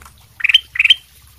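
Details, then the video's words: Kutilang emas sutra bulbul singing actively, used as a lure to prompt other birds to answer: two short bright phrases, each a quick run of rising, warbling notes ending in a sharp high tip, separated by a brief pause. "kutilang emas sutra gacor buat pancingan langsung nyaut"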